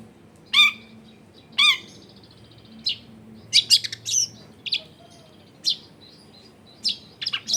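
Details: Long-tailed shrike used as a lure for other shrikes, home recording: two harsh nasal squawks, then a quicker run of thin high chirps, whistles and buzzy trills.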